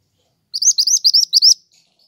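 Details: Actively singing pied triller, used for luring and for tutoring pet songbirds: six quick, high, upslurred whistles strung together in a lively one-second phrase, followed by a faint trailing note and otherwise silence.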